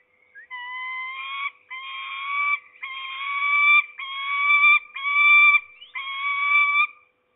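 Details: Peregrine falcons at a Polish nest in Trzebież forest district, 7 May 2020, a female with her two young; six long, loud, strained wailing calls about one second each, given in steady succession with brief gaps.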